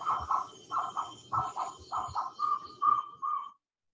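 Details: A jungle owlet gives its 'ko po ko po' forest call, a steady run of paired, mid-pitched hooting notes, about two per second, the last few clearer and more tonal.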